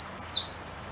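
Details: Golden-crowned warbler (Basileuterus culicivorus) song: a brief fragment of very high, thin whistled notes sliding downward, in an otherwise quiet background; a restless bird that keeps hopping about constantly.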